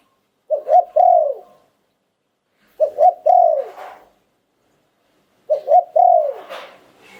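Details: Liu tan style song from a spotted dove, valued as an auspicious bird: three evenly spaced phrases of two quick coos and a long falling coo, with a little background rustle at the end.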